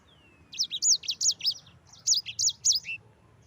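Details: Yellow-fronted canary song, a master track for training other birds: a thin descending whistle followed by two quick phrases of high, bouncing, looped notes, four to five per phrase.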